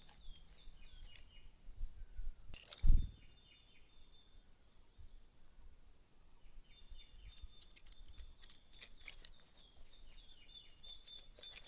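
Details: Treecreepers at a nest hidden in a pine-tree crevice with chicks give very high, thin, rapid tsee notes in short runs, with a steady high trill later; a loud knock and low outdoor rumble underneath.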